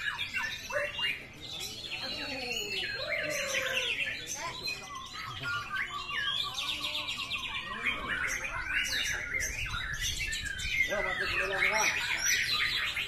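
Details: White-rumped shama, a showy bowing bird versus one with a sharp voice likened to thunder, delivering long varied phrases of loud whistles, rattling trills and scratchy chatter, with other birdsong and faint talking behind.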